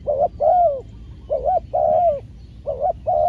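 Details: Decoy spotted dove calling while being trained to lure wild doves; paired coos, a brief wavering note then a long even one, repeated three times in close rhythm over low hum.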